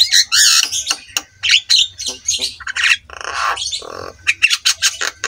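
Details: Javan myna master recording meant to make quiet mynas sing: loud, dense grating squawks and raspy chatter running almost continuously, with a low gravelly burst near the middle and quick notes at the end.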